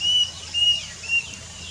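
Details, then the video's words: Plaintive cuckoo, a cuckoo of low elevations heard constantly in summer, giving three clear, level whistled notes about half a second apart, each slightly shorter than the last, with a fainter falling note behind. "Plaintive Cuckoo singing"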